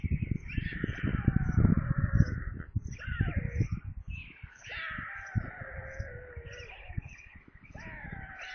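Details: Evening meal at a white stork nest in Kaluga region, Russia, on 22 July 2022. Several long, nasal, mewing calls rise sharply, then droop, repeated with short gaps. Heavy low rumbling knocks sound from the nest.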